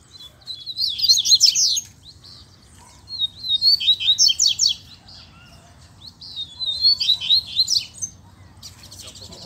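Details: Wild double-collared seedeater in scrub, a calling chick having appeared; three clear phrases of fast, high, slurred and buzzy notes, each about two seconds long, separated by short silences.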